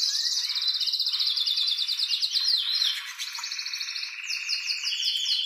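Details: Male canary in strong, excited song to stimulate the female to mate. A very high fast trill slows into a run of downslurred notes, then lower rattling tours and a final quick rising trill.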